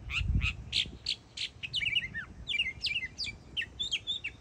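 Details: Young Northern mockingbird, a yearling, singing in Florida: varied phrases, first a few broadband harsh notes, then quick chirps and slurred whistles changing every fraction of a second, with a low thump at the start.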